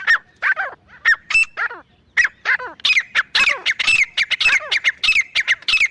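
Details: Male and female grey francolin calling intensely: a dense, accelerating chatter of loud, scratchy, squealing notes with sliding overtones, broken briefly near the start, then almost continuous for four seconds.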